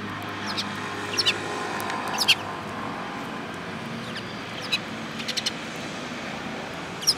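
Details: A flock of sparrows, one yellow-beaked, on 18 January 2018, giving sharp, quick chirps in small bursts around the first and final seconds, with a low steady hum and hiss behind.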